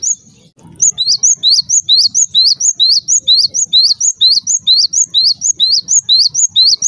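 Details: Java sparrow call, played to make other Java sparrows noisy: after a short quiet start, shrill rising chips follow one another rapidly and regularly, about two per second, above a dull low hum.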